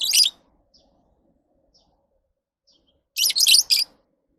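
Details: Lovebird chatter: a brief shrill squeak, a pause of nearly three seconds, then a quick run of three harsh, high chirps.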